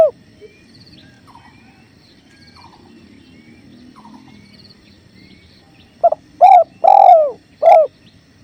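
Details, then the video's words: Over the steady flow of a clear river, faint soft notes give way to a spotted dove (tekukur) phrase: a brief note, then three loud hollow coos, the middle one longest, in a masteran recording. "Masteran Tekukur River Flow"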